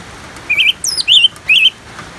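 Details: An orange-headed thrush phrase recorded for bird therapy: a warbled whistle, a high looping sweep, then two more wavering whistled notes in quick sequence, with faint hiss behind.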